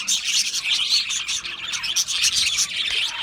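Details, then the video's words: Australian parrots chirping in a dense, continuous chatter of high, rapid, overlapping tweets and squeaks from many birds at once, with no pauses and no other sounds. "Beautiful Australian Parrots Chirping sounds beautiful Parrots Sounds"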